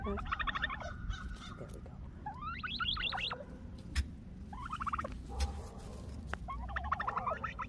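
A female turkey gives bursts of rapid, rattling clucks and yelps, four short runs spaced a couple of seconds apart, over a steady low rumble of background noise.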